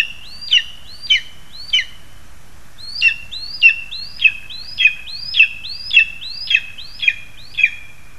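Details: Lesser spotted eagles feeding their young, 2 August 2020; a long series of shrill calls about twice a second, each a rising whistle with a sustained tone, three calls, a short pause, then ten more.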